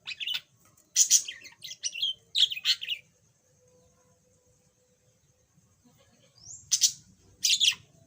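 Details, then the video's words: Yellow pet budgerigar, previously unable to chatter, sings in two bursts: a second of scratchy chirps and slurred whistles, a pause of several seconds with a thin steady tone, then two more sharp chirps. "Kicau Burung Parkit"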